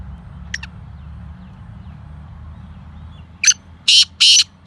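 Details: Black francolin (Kala Teetar) begins its call late: a sharp introductory note and then three harsh buzzing bursts. A faint double note comes earlier, over a low background rumble.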